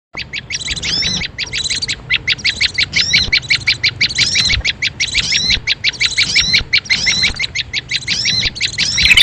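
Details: Small-bird lure call used in bird-luring hobby: a fast, steady string of high, sharp chirps, about three each second, each note bending up and down, continuing without pause over a faint low background hum.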